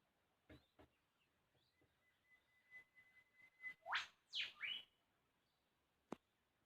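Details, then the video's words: Riflebird in Australia on 9 June 2021, often heard but hard to see: two loud, harsh, rasping calls in quick succession, a thin steady whistle just before, and a few sharp knocks around them. "Listen and you will here the Rifle Bird, (twice)"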